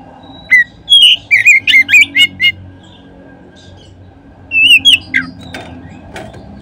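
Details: Oriental magpie-robin lure song meant to set other magpie-robins singing: a fast burst of bright, slurred whistles and sharp chirps, a quiet gap, then a second shorter phrase of whistles, over faint low background hum.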